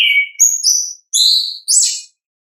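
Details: Orange-headed thrush singing in the loud ngeplong style, a natural recording: a clear whistled note, then three rising and falling high phrases. Each phrase is separated by a short pause, with no other sounds.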